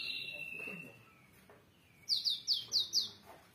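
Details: Java sparrow, locally called gelatik wingko: after a faint steady tone fades, a burst of five sharp, high chirps comes in quick succession near the end, each note short and bright.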